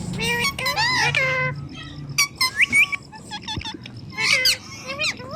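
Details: Ringneck parrot talking: wavering, voice-like harmonic phrases over a low hum, scattered short notes, then a loud rising squawk-whistle cluster near the end.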